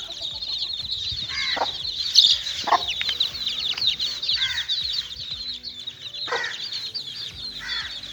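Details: Group of little chicks playing, keeping up a continuous high peeping chorus while lower clucking notes break in irregularly, with faint wing-flutter sounds.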